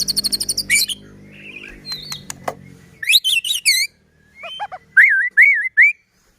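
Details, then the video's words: White-rumped shama song, played to make other shamas sing and get worked up: a varied phrase of high rapid trills, sharp clicks, buzzy notes and rich looping whistles, ending in three clear rolling whistled notes, with brief pauses between bursts. "Murai batu gacor AMPUH buat PANCINGAN murai batu agar bunyi JADIKAN burung murai EMOSI"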